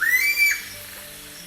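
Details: Sulawesi Scops Owl (Otus manadensis) of Sulawesi's tropical forests, Indonesia, a night caller, gives a single clear whistled note that rises then levels off, fading within half a second; faint background music may be present.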